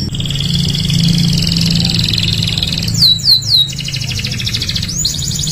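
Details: Singing canary in a training recording for other canaries, with a steady high warbling band, then quick downslurred whistled notes near the middle and end, over a constant low hum.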